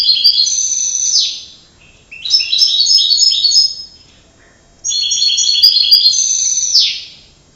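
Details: Canary singing three long phrases of quick repeated high notes, rolling trills that end with falling slurs, separated by brief silent pauses.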